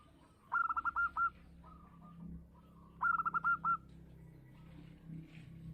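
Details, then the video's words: A local Indonesian zebra dove coos in two bursts of about five quick, mellow staccato notes, roughly two and a half seconds apart, with fainter notes between over a low hum. "perkutut lokal gacor suara besar"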